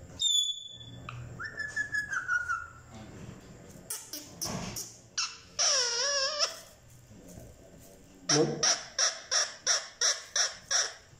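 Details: Talking parrot kept indoors: a whistle and falling whistled phrase, scattered clicks, a wavering voice-like call, then a rapid series of about ten short harsh squawks.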